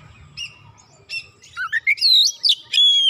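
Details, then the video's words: After one provocation, an Oriental magpie-robin bursts into excited song; quiet scattered chirps give way to a fast tumble of twisting whistles and a long bright held note. "Kacer sekali pancing langsung emosi bongkar isian"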